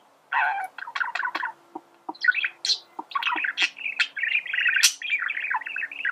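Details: Male budgerigar in song, a song used for teaching birds to sing: clicking notes and short chirps that build into a sustained, fast, chattering warble.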